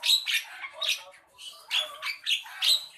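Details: Harsh, high scratchy bursts from a Javan myna, about six loud rasping notes in quick succession with a short quieter gap midway.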